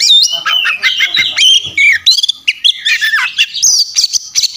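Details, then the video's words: Kacer, or Oriental magpie-robin, giving an aggressive fighting song full of varied phrases, a tutor recording for training: rapid high whistles, looping slurred notes and harsh chatters run together almost without pause. "masteran kacer tarung ngobra ngotot full isian"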